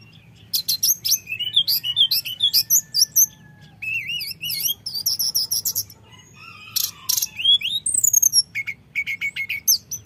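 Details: Long rolling, flute-like common iora song used as a lure to provoke rival birds: varied rapid whistled phrases, buzzy trills and wavering slurs, repeated in bursts with short pauses.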